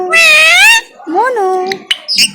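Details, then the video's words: A pet talking parrot, conversing with a little boy, gives a long, nasal, speech-like wail, then a shorter rising-and-falling voiced phrase, followed by a few sharp clicks. "Parrot Conversation With Little Boy"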